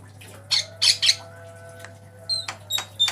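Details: Javan myna, white-eyed, performing a variation master song for cage-bird training: a few loud raspy bursts, a pause, then short whistled notes and sharp clicks, with a steady low hum throughout.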